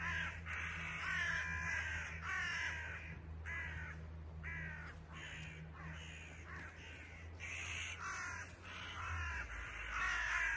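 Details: Crow parents worked up after their young fell out of the nest, flying about and croaking: a busy run of rough, repeated caws, nearly one per second, over a background hum.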